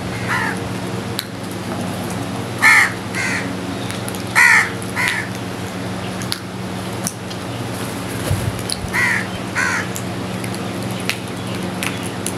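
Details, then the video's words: Crows feeding together call repeatedly, with harsh hoarse caws often coming in quick pairs, spaced irregularly over about twelve seconds above a low steady hum. "Crows are eating and sounding together"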